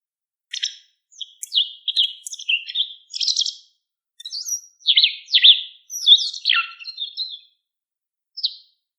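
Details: White wagtail calling: a loose series of sharp, high twittering chirps and short slurred notes in irregular bursts, with brief pauses between groups and a clean, quiet background.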